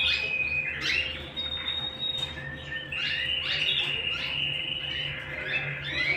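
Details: Canary singing at home: a sustained high trill, then quick downward-sweeping chirps and another long rolling tour of notes over a low background hum.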